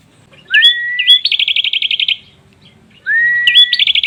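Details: Prinia song offered as master material for training other songbirds: a rising whistled note, a sharp hooked note, then a rapid buzzy trill of about a dozen high notes, the phrase repeating after a short pause.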